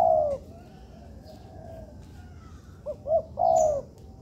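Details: Spotted dove trained in a constructed yard. One long mellow coo opens, then a quiet stretch of faint background calls, and finally two short coos leading into another drawn-out note.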